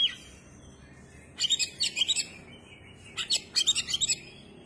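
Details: Oriental magpie-robin singing with its tail opened: two quick clusters of bright, high chirps and twittering notes, five or six notes each, separated by a short quiet pause.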